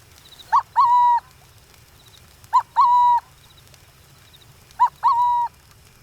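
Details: Burrowing owl of open grasslands gives a soft, dove-like two-note coo, a brief first note and a longer, level second note. It is repeated three times about every two seconds over a quiet background.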